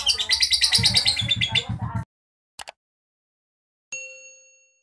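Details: Lovebird's rough ngekek chatter lasts about two seconds as a harsh, rapidly pulsing trill, then cuts off. After that come silence, a short double click and a single ringing metallic ding.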